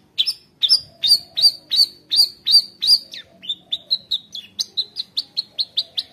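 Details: Long-tailed shrike in mimicry-rich 'gacor' song used to teach juvenile shrikes: clear, ringing high whistled notes repeated roughly every third of a second, then a quicker, softer series of shorter piping notes.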